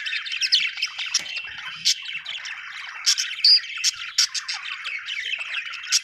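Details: Budgie chirping from Australia: rapid chattering warbles broken by frequent sharp high clicks and a brief whistled note, several birds calling at once, with a clean quiet background.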